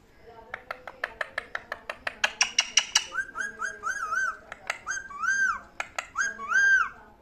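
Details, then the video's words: Parrot making a long run of rhythmic clicks, then a series of short arched whistled notes repeated over and over, ending in a louder whistle. "Lovely parrot talking | Funny parrot talking video"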